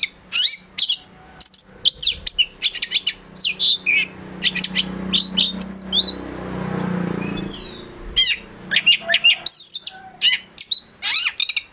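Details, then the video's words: Oriental magpie-robin, a prospect bird from a collection, delivers bursts of high chirps, trills and slurred whistles, broken midway by a few seconds of low rumbling background noise before the lively song resumes. "KACER GACOR FULL ISIAN BIKIN KACER APAPUN LANGSUNG NYAUT"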